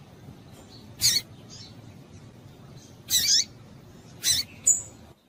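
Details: Female double-collared seedeater call used to stimulate males: four abrupt, high, scratchy chips at uneven gaps, one slightly longer and doubled, plus a short thin whistle near the end, over low hiss.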